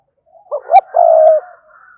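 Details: Spotted dove giving a loud challenge coo toward a rival bird: two quick upward notes followed by a long, smooth, sustained coo, with a faint softer coo trailing behind.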